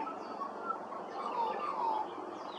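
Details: Australian magpie at Hervey Bay, Queensland, giving a few clear, fluting whistled notes that slide downward, over a steady hiss of background noise.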